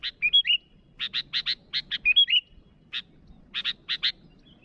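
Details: Sooty-headed bulbul calling rivals: clusters of harsh chattering chips mixed with two short bubbly whistled phrases, delivered in uneven bursts with brief pauses between them.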